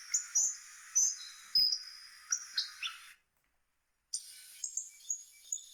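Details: Hawfinch giving a series of short, high, thin chirps and brief whistled notes, several per second, broken by about a second of silence before more high chirps resume.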